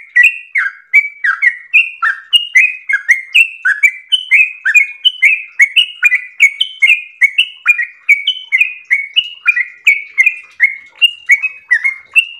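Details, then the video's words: Prolonged 'ropel' song of a yellow-vented bulbul in full voice: mellow, bubbling whistles strung together quickly and without pause, pitch stepping up and down from note to note. "ROPEL MERDU trucukan gacor ropel panjang istimewa"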